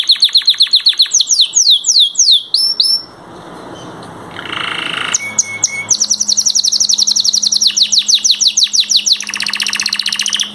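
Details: Canary song with rapid repeated downward-sweeping notes, a short quiet gap, then long fast trills of high buzzy repeated syllables, several phrases chained together.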